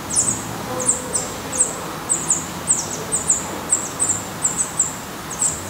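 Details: At a black redstart nest in Portugal with young still inside, short high, thin, slurred notes come in a steady spaced series, roughly two per second, over a quiet background.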